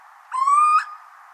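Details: A Little Owl in Germany, a species sometimes active by day, gives its song: one drawn-out, mellow hoot of about half a second, sliding gently upward in pitch over a steady background hiss.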